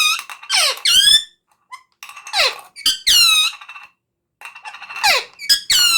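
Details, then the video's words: Talking parrot: loud, harsh, rapidly modulated squawks and chattering bursts with dense stacked overtones, in phrases of about a second separated by short pauses, recorded indoors. "Talking Parrot/Smart Talking Parrot"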